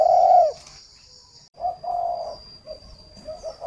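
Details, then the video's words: Decoy spotted dove for luring wild birds, Ba Vì, Hanoi, Vietnam; one long loud falling coo, a pause, then quieter broken coos with softer notes trailing off. "Chim cu mồi"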